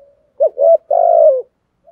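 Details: Spotted dove coo used as a lure call to provoke wild males: two short rising notes, then a long burry falling coo, all low and mellow.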